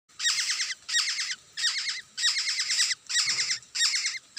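A Black-hooded oriole gives six bursts of harsh, rapid chattering notes, each about half a second long, repeated with short pauses, over a quiet background.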